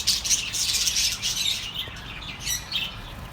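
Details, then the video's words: Pet birds chirping to keep lonely birds company: loud, dense warbling chatter in the first two seconds, easing into softer scattered twitters and thin squeaks. "The best relaxing birds sounds for your lonely birds"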